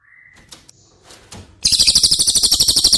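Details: Cililin song for training caged White-rumped Shamas: a thin whistle and a few soft clicks and rustles, then an abrupt onset of a fast, high, dry, rattling trill.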